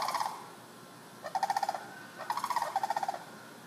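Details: Sandhill cranes wandering a residential neighborhood, recorded from indoors through a window screen: loud, rolling, rattled calls with a rapid pulsed texture, in three bursts, the last two running back to back.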